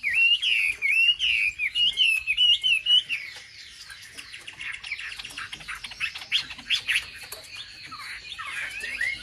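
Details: Wambi song as a lure to anger other wambi birds: three seconds of wavering, slurred whistles, then a jumble of sharp chips and scratchy twittering notes.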